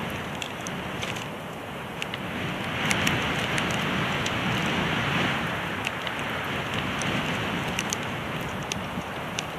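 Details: Rain patters steadily, with scattered crisp drip clicks over a broad wash of noise, and no animal voice.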